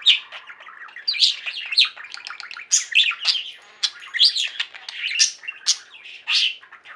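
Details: Pet budgerigars singing together, steady chattering warble of short squeaky chirps and buzzy trills with repeated louder accented notes every second or so.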